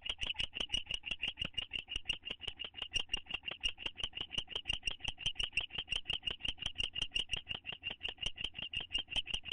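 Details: Two owls bonding together inside a nest box in May 2011: a loud, rapid, even run of clipped, high chittering notes, nearly three per second, continuing throughout with no other sounds.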